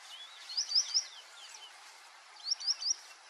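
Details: White-faced whistling duck giving two bright three-note whistled phrases, sharp rising-falling notes in quick succession, the second phrase about two seconds after the first, with softer slurred whistles between.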